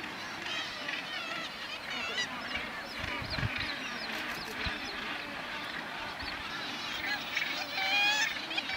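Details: At Bempton Cliffs RSPB in East Yorkshire, July 2012, Northern gannets with a chick at the breeding colony give rasping, overlapping calls in a constant clamour, with a few louder, closer harsh notes near the end.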